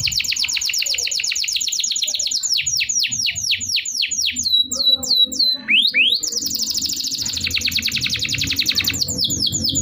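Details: Canary song played to stimulate non-singing canaries: high rapid trills, then a string of downward-swooping notes, a few rising slurs, and another fast rolling trill; a faint low hum runs underneath.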